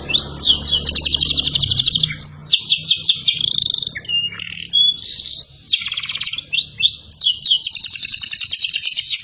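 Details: Long-running canary song for tutoring other birds, alternating dense high trills with short pauses, quick upsweeping notes and rattling phrases that repeat after each break.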